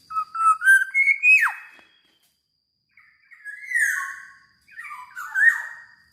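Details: Very vocal black-naped oriole sings three phrases: rising liquid whistles ending in a downward swoop, then after a pause two shorter, slightly harsher whistled phrases with wavering notes; a faint high steady tone persists.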